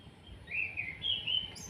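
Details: Kretekan call of an orange-headed thrush, played as a lure to stir other birds to sing: one thin, sustained high whistle that wavers up and down for about a second, then a sharp higher note, with low background rumble.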